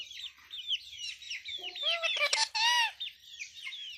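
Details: Indian ringneck parakeet, a pet talking parrot, chattering in a rapid run of high squeaky, warbling syllables with a louder, harsher burst of mimicked speech in the middle.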